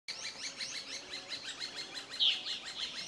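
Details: Whiskered yuhinas (Yuhina flavicollis) near the summit of Doi Lang, northern Thailand, give rapid, high twittering calls in a dense overlapping chatter, several notes per second, likely from more than one bird.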